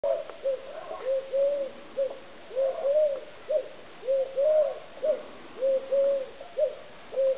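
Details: Eurasian collared dove cooing in three-note phrases, short-long-short, soft and hollow at a steady mid-low pitch, repeated about every one and a half seconds, roughly five phrases over a quiet background.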